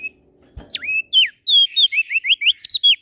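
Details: Lombok prinia (prenjak daun, NTB), an eager singer day and night: one deep swooping whistle, a falling note, then a brisk string of clear rising and falling whistles, each about a tenth of a second long.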